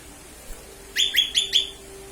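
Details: Lesser green leafbird call used to lure birds: four quick bright chirps in a row, evenly spaced, with a faint steady hum in the background.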